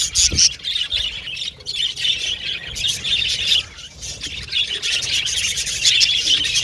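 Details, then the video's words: Several budgies chattering and communicating. Overlapping high chirps and squawks come in waves, with a clear dip in the chatter around the three-and-a-half-second mark before it swells back up. "Budgies Chirping Sound"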